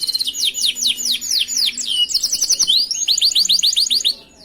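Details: Canary master song recorded for training other canaries: quick repeated downslurred chirps forming a rolling high trill, shifting to a second series of sharp rising notes.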